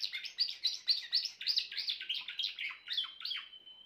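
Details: Grey Timbrado canary in full song: loud, fast repeated rolling trills, about four pulses a second, slowly shifting in tone and ending on a long, level sustained whistle.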